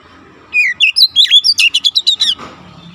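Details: Training song of an oriental magpie-robin for untrained birds, aimed at fast dense singing: a rising whistle opens a tight burst of about a dozen rapid sharp notes lasting under two seconds, with faint low background hum.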